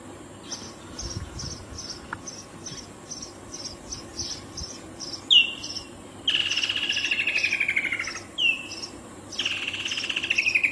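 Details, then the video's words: A Woodland kingfisher gives sharp, high introductory notes that drop quickly, each followed by a long, rapid, descending rattling trill, repeated twice. Regular high insect ticking runs through the first half. "Woodland Kingfisher | Call of the Woodland kingfisher"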